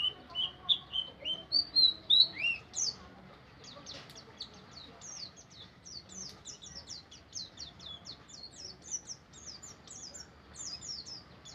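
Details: White-eye (pleci) in 'ngeriwik' song: a few loud high whistled slurs, then a long fast series of thin twittering notes repeated about three times a second.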